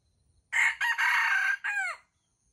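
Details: Wild jungle chicken crowing in competition at a baited trap: a strident crow of about one and a half seconds, with a brief harsh opening note, a long sustained buzzy middle and a short falling final note, over near silence.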